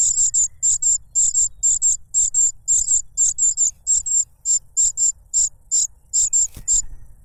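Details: Loud cuckoo chick begging for food from its foster parent, which feeds it a butterfly; clusters of sharp, very high sibilant notes repeated about twice a second over a low hum, ending with a soft knock.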